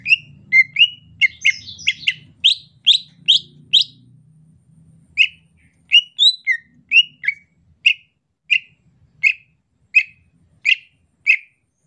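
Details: Greater green leafbird singing in the rainy season: short bright whistled chirps, crowded and quick at first, then evenly spaced single notes about every 0.6 seconds, with a low rumble underneath during the opening seconds.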